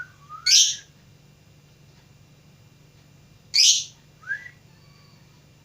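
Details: Lovebird learning to sing utters two harsh, high chirps about three seconds apart, each with a soft rising whistle nearby, over a low steady hum.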